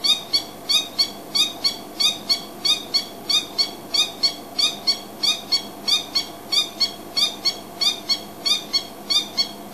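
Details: A male Coqui Francolin at Djuma, perched on a termite mound as a high point to announce itself to neighbours, gives a steady run of sharp, high, evenly spaced call notes.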